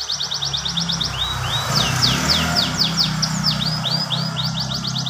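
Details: Canary song in goldfinch style with long rolls: quick high trill, then a run of separate swooping whistled notes and another trill, over steady low humming background noise.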